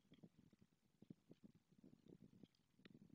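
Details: A male white stork arriving at the nest greets the female with bill-clattering, a rapid, hollow, wooden rattle of several clacks per second, fairly faint; the female had just laid a second egg; Madrigal de las Altas Torres, Spain.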